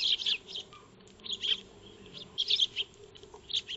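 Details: Eurasian tree sparrows, locally Maya birds, feeding in a backyard on 2 March 2025, captured by a motion-triggered solar wildlife camera: dense bursts of short, bright chirps clustered in quick overlapping groups, with a steady faint low hum beneath.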